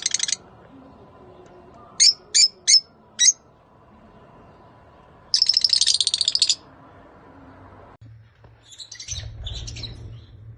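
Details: Lovebird mating calls, Rosy-faced and Fischer's, meant to trigger breeding: brief shrill bursts, a quick run of four sharp chirps, then a longer rasping trill, with faint thumps and rustling near the end.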